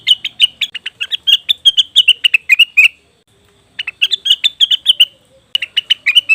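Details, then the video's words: Leafbird calls used as a lure for wild birds: quick series of bright, sharp chirps, some notes dipping downward, in three runs broken by short silences. "pancingan burung cucak wilis/rengganis dijamin langsung bunyi"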